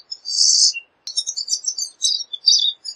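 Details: Pine siskin: a strong wheezy buzz, a pause, then a fast chattering twitter of high notes ending in more short buzzes.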